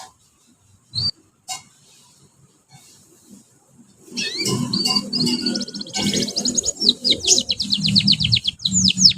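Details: Young canaries singing together as a training lure, learning their song: a few sharp clicks, then from about four seconds a continuous high twittering with rapid repeated trilled notes over a low rumble.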